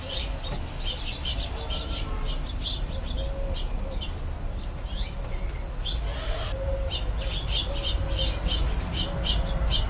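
Sparrows chirp in a busy, overlapping chatter of short, bright cheeps, several each second, over a steady low rumble of background noise.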